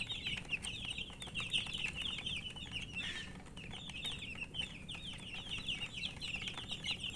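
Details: Chicks chirping with thirst for drink water: a crowd of shrill, quavering peeps runs almost nonstop, with a short soft rustle near the middle.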